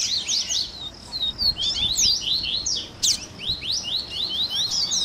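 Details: Double-collared seedeater (coleiro) warm-up recording, a 'baderninha' made to stimulate captive birds to sing: high, rapid chirps and downslurred whistled notes tumbling together in dense overlapping phrases, with a short loud burst near the middle.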